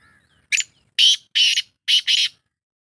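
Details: A partridge in a forest gives five harsh, grating notes: a short opening note, then four louder rasping notes in pairs with brief gaps, all within about two seconds.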